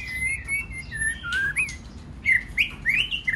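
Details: Singing white-rumped shama, a recording played to stir other birds to sing; smooth warbled whistles in a steady flowing line, then a brief pause and brighter rising, looping phrases.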